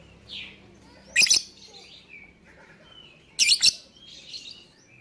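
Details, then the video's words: Lovebird calling as a lure to get other birds to follow: two loud shrill chirp bursts, each a quick doubled screech, over soft background twittering and hum. "Pancingan Burung Lovebird Bikin yang lain IKUTAN bunyi."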